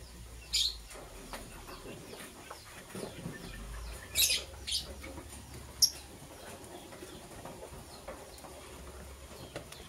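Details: Chirping of green and blue lovebirds as they prepare for egg laying, in the morning. Three brief, piercing high chirps stand out against soft rustling and tapping.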